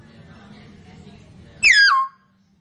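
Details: A chatty hill myna lets out one strong whistle that drops smoothly from high to low and lasts about half a second after a quiet stretch.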